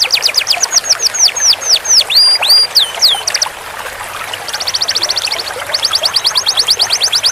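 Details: Canary master song for training a long roll: rhythmic falling whistles and looping swoops, a brief quieter gap, then extended rapid high trills repeated in bursts over faint hiss.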